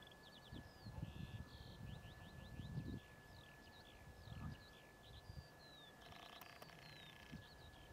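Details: Eurasian skylark (Alauda arvensis) at Ljubljansko barje, Slovenia, 1 April 2023, pouring out a long rapid stream of high chirps, trills and slurred whistles without pauses, over heavy wind rumble and a steady thin hum.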